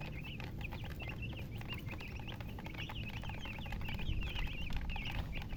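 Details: Steady chicken chirping: quick rising-and-falling peeps repeated about three times a second, many overlapping, over a constant low-pitched drone.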